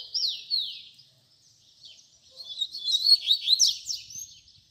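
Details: Fibra-style song of a double-collared seedeater, used to teach young birds: two loud downward-slurred whistles, a brief pause, then a rapid run of twittering high notes.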